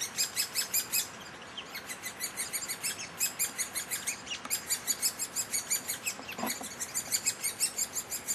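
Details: Nestling great spotted woodpeckers high in a tree at Heeze, Netherlands, being fed by a parent: incessant shrill begging notes in fast pulses, louder in rhythmic surges, with a brief lower sound midway.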